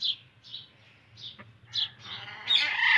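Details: Indian ringneck parakeet uttering a series of brief, harsh, high squawks about every half second, ending in a louder, rasping, broadband screech, with a low background hum.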